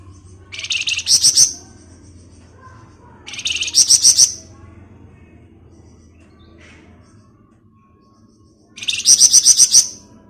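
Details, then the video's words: Flamboyan bird singing in the ngebren style, a dense rapid chattering offered as a lure recording: three bursts of about a second each of fast, high, buzzy trilled notes, separated by quiet gaps with faint low background hum. "Rajanya Ngebren Burung Flamboyan cocok buat Pancingan"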